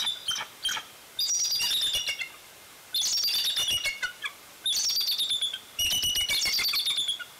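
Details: A bald eagle calling at the Fraser Point nest on 16 February 2019. Bursts of high, squeaky, piping chatter come in four phrases separated by short gaps. Each phrase is a jumble of rapid thin notes.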